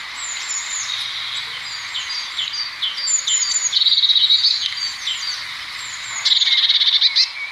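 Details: Eurasian blue tit (Cyanistes caeruleus) singing: thin, high notes followed by quick, silvery trills, repeated twice, with other high chirps and a faint steady whine behind.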